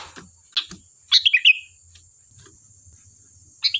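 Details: Sooty-headed bulbul song played to provoke replies from other birds: a few soft chips, then one rapid, cheerful phrase of falling notes, and the start of another near the end, over a thin constant whine.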